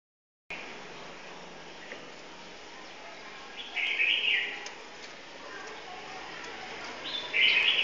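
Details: Red-whiskered bulbul (Pycnonotus jocosus), song.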